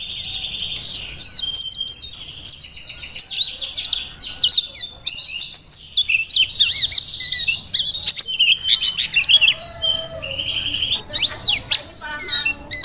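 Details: Mountain white-eye from Merapi, ngalas type, singing strongly as a model for training other songbirds: a long, dense run of high chattering trills and sharp chirps. A few sharp clicks and a brief lull occur midway.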